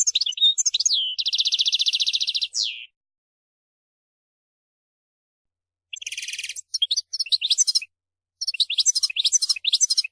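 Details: European goldfinch song, given as a track to motivate goldfinches to sing. Twittering high chirps lead into a long, even, buzzy trill that ends with a slur. After silence, further bursts of trills and rapid tinkling twitters follow.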